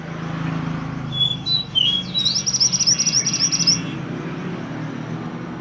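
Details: Pied triller (mantenan) chirping, used to train songbirds: a few high whistled notes lead into a quick, even trill of about ten beats, then the voice falls silent over a low hum.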